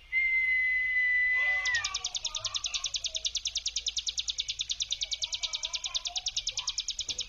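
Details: Hill prinia giving its brem lure song. A long steady whistle opens, then a fast, even run of buzzy, high, rattling pulses follows for over five seconds. Softer lower chirps from other birds sound behind it.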